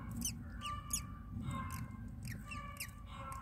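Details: Nestling mynas fed by their mother give a rapid series of short, harsh downslurred squawks, repeated about every half second over a steady low background hum.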